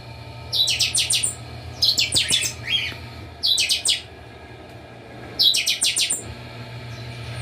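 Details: Chopi blackbirds held at a breeding aviary, many birds singing together: four strong bursts of rapid, bright, repeated notes a second or so long, separated by short quiet gaps, over a low mechanical hum.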